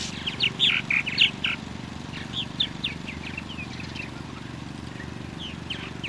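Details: Purple martin calls: a loud run of throaty, chirping notes at the start, followed by softer repeated chirps fading across the clip, with a low humming drone throughout.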